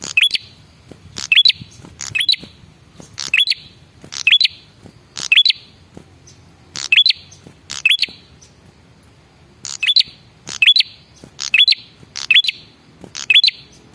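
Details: Male red-headed prinia repeating its lure call: crisp chips with a short high rising whistle, thirteen bursts in a fairly even series, briefly pausing midway.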